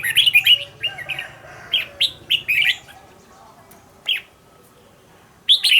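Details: Red-whiskered bulbul decoy singing in the quick-fire training style. Bright warbled notes come in short groups separated by pauses, over a low hum in the first half.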